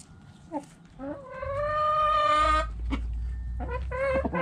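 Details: Backyard chickens: short rising notes lead into a long, level rooster crow lasting over a second, followed by further clucks and a brief crow fragment, with a low rumble underneath.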